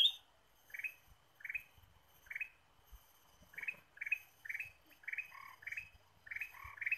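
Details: Repeated short, bright chirping notes from a Ruby-throated bulbul, given as lure sound, about one every half to three-quarters of a second, speeding slightly toward the end, with a faint low hum behind.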